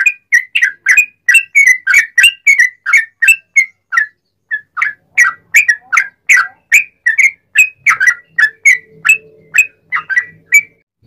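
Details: Sooty-headed bulbul (trucukan) singing eagerly in a long rapid 'ropel' style, used as a lure to provoke other bulbuls to sing: a steady stream of short, bubbly whistled notes, some in quick bursts, with a faint low hum near the end.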